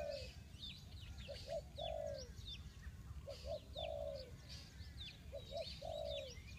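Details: Spotted dove cooing as a decoy to lure wild birds into a trap, Ninh Thuận: soft low phrases of two short notes and a longer drawn-out falling coo, repeated about every two seconds, with many small birds chirping high above.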